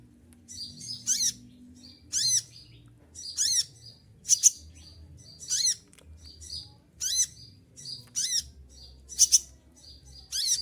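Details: Despite losing its feathers in moult, an olive-backed sunbird keeps up its song: about nine tight, shrill, shot-like bursts over ten seconds, high and metallic, with faint thin notes in the gaps.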